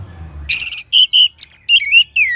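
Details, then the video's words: Orange-headed thrush singing as a training sound for other birds, North Bali: a loud harsh burst followed by a quick series of clear whistled notes, some flat, some rising or falling. "ANIS MERAH SAUARANYA MANTAP 99% SEBAGAI MASTERAN DAN PANCINGAN BURUNG NGEPLONG"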